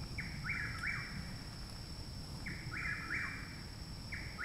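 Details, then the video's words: Chuck-will's-widow in Parkersburg, West Virginia, 29 May 2019, singing loudly very nearby a month after arrival; rhythmic three-note whistled phrases roughly every two seconds, with low rumbling background noise. "Chuck Wills Widow Singing Loudly Very Nearby"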